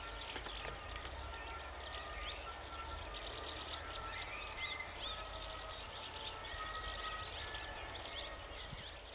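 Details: White wagtails, with yellow wagtails, on 13 June 2013 during the River Elbe flood: an alarm call while driving away an aggressor from their young. Sharp, high, overlapping chirps over thin whistles; firefighters and soldiers faintly audible.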